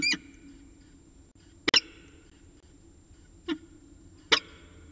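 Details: Evening calls from a peregrine falcon pair at CSU Orange on 11 December 2018 at 6:45 pm: four short, harsh, broadband bursts spaced one to two seconds apart against faint background noise.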